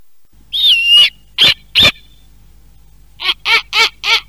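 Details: Snowy Owl, the largest owl in North America and an Idaho species, gives a drawn-out shrill squealing whistle, two short piercing notes, then four quick harsh, raspy barks, all high-pitched, with no other sounds.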